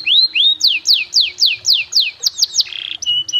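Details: Canary master song in the ornate 'cengkok mewah' style, used to teach young birds to sing: loud whistled notes sweeping downward, repeated about four times a second, then short rising notes and a buzzy flat trill.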